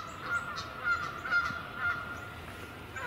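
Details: Geese close by on the water, not in flight, near Montezuma: short nasal honks repeating about twice a second, with a steady background hum.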